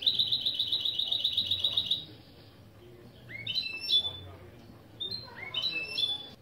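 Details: Opening song phrases of a goldfinch-canary mule, from a lesson featuring named styles like velisvelis and boli boli boli: a fast metallic trill lasting two seconds, then clear whistled upslurred notes and sharp chips.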